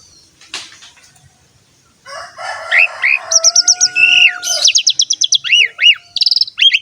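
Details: Jalak suren, the Asian pied starling, singing to coax other starlings into song: a faint start, then rising slurred whistles, a long steady tone and rapid high clipped notes.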